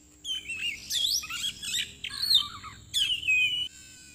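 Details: Oriental magpie-robin, the black Borneo form, recorded during trapping with a decoy lure: loud, varied whistled and warbled phrases with sweeping and trilled notes, delivered in several bursts, over a steady high-pitched background hiss.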